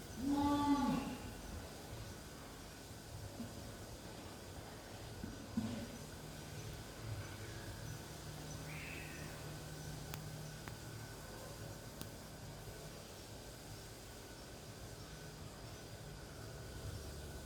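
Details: Humboldt penguin (Spheniscus humboldti) at Hirakawa Zoo, Kagoshima, Japan, swimming among other penguins, gives one brief, hoarse, braying call, followed by a steady background hum.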